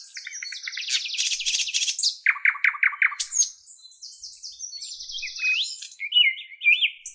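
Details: Several birds chirping together, with buzzy rattling trills, a run of repeated mid-pitched chirps and high twittering whistles later on.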